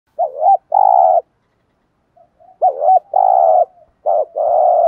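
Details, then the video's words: Spotted dove giving a 'thúc gù' style lure coo meant to make wild doves answer. A short wavering note is followed by a longer steady hum, three phrases in five seconds, with clean silence between. "cu gáy thúc gù BÀI BẢN bổi nghe phải gáy theo 100% vì giọng hay hạp bổi"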